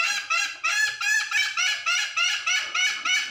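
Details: Ngekek call of a hen calling the rooster: a steady, even series of loud nasal squawking notes, roughly three per second, each slightly falling in pitch, continuing without a break.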